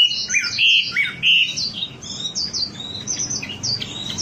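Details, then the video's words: Wambi bird song used as a lure to get other birds singing eagerly: high chirpy notes, with short whistled phrases and quick twitters tumbling over one another and falling slightly in pitch, then louder buzzy slurs. "Suara pancingan burung wambi agar cepat gacor"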